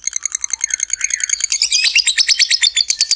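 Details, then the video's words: Lovebird producing a ngekek trill, a long chatter used to rouse other lovebirds: quick repeated shrill notes that become denser and harsher halfway through, about three per second. "SUARA BURUNG LOVEBIRD NGEKEK PANJANG"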